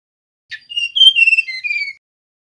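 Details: A male mangrove blue flycatcher gives a single sweet whistled phrase: a short rough note, then several clear level whistles descending gently in pitch over about a second and a half.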